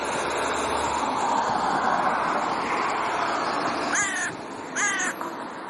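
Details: Territorial raven squabbling with neighbours: after several seconds of loud rushing background noise, two harsh, downward-bending caws follow about a second apart.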